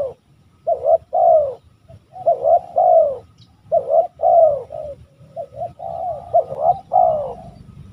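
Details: Sequence of throaty, vibrating coos from a West Javan spotted dove, short and long notes mixed, repeated at roughly one-second intervals with a faint background murmur.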